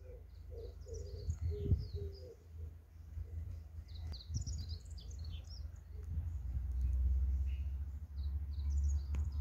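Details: A pigeon on a fresh morning, heard through an opened window, gives a few low, soft coos in quick succession, with high thin chirps of small birds and a steady low rumble behind.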